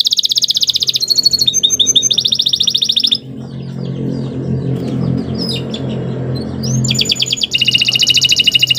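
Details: Canary song for training captive birds: high rattling trills and swept whistles for about three seconds, a stretch of low background rumble with faint chirps, then the rapid high trill resumes.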